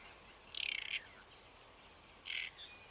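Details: Two short, rasping, croaky phrases from a great reed warbler at Paxton Pits Nature Reserve, 28 May 2016. The first lasts about half a second, the second is briefer and follows roughly 1.5 seconds later, with quiet between.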